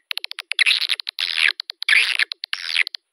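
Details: Swiftlet lure call played to attract swiftlets to a bird house: rapid dry clicks alternating with harsh, buzzy chattering bursts, repeated in quick clusters with short gaps, clean with no background sound.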